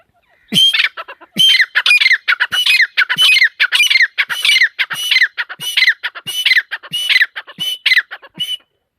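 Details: Female teetar partridge giving a long run of harsh, ringing calls, roughly fifty per minute, each a buzzy burst with a clear whistled note sliding downward, steady and loud throughout.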